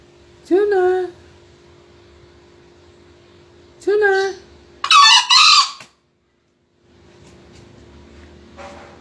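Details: A green junglefowl, recorded for a 2020 crowing contest, gives two brief, squeaky crows about three seconds apart, followed by a harsher, hoarse burst, in an otherwise quiet setting.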